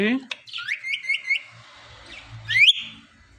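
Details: A talking pet parrot produces a quick series of bright chirps and short rising notes, then a louder sweeping squeak, with faint low background sounds.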